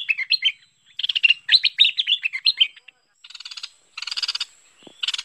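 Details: Merbah lekir bulbul lure sound: a bubbling sequence of quick, slurred chirps followed by several harsh, buzzing, rattled bursts separated by short pauses.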